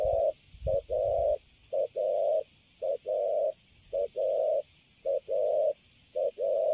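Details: Spotted dove, caught wild and kept in a cage, giving a clean run of coos. Each is a brief clipped note followed by a longer even hooting note, repeated steadily with short silent gaps.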